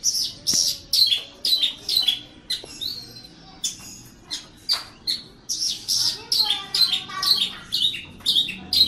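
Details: Caged Javanese Horsfield's bush lark in vigorous song: rapid, high, chattering chirps mixed with thin buzzy notes, repeated about twice a second through the whole stretch. Faint low background noise.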